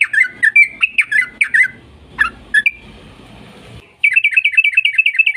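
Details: Yellow-vented bulbul singing a long-rolling 'ropel panjang' lure song: bursts of quick chirpy whistled notes, then a quieter pause with faint hiss and low rumble, ending in a fast, even series of bright repeated notes.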